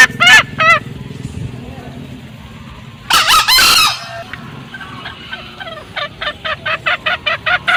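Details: Lure recording of male and female green junglefowl cackling: a few scattered rasping bursts separated by quiet stretches, then a run of short, clipped notes in the final two seconds, with a low hum underneath.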